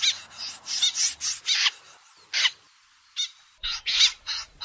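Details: Late-season common snipe calling: loud, rasping, grating notes in a loose series, a pause with isolated scratchy calls, then a fresh cluster of harsh bursts.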